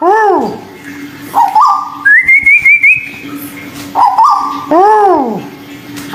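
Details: Local and Malaysian white-billed bulbul singing in a bird-therapy recording: arched slurred notes and short stepped whistles, then a higher quavering whistled phrase that climbs steadily, with a constant low hum beneath.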